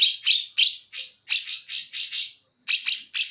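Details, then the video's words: Greater green leafbird of Banyuwangi origin singing bearded bulbul material: fast bursts of scratchy, buzzy notes in two runs separated by a short gap, with a thin whistled tone at the start. "Cucak Ijo Banyuwangi Materi Cucak Jenggot"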